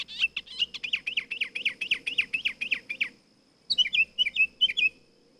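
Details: Nightingale song with a fast, even series of chirping notes, about five per second for three seconds, followed after a short pause by a sharper, choppy phrase of clipped whistles.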